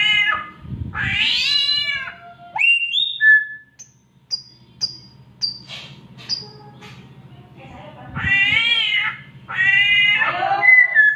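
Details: Oriental magpie-robin mimicking a cat's mating call: harmonic, whining meows open and close the sequence, with clipped whistled slurs and quick high notes between them.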